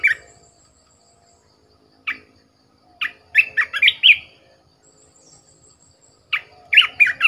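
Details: Red-whiskered bulbul used as a decoy bird, delivering isolated single chirps and then two lively clusters of warbling, up-and-down notes with quiet gaps between them.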